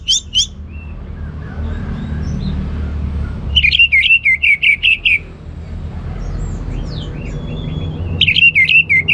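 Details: An orange-headed thrush singing ngeplong style. Two high notes open, then a fast string of about ten evenly repeated, clipped whistled notes, soft sliding whistles, and another quick repeated run near the end.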